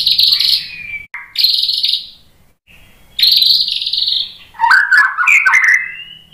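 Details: White-rumped shama singing to encourage other shamas to sing: long harsh buzzy high notes in three bursts, followed by a quick, jumbled run of whistled and chattering notes.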